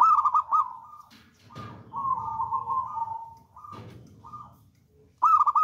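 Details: Local zebra dove kept as a lure bird. Trilled coo phrases open and close the passage, with steady drawn-out cooing and rustling in between.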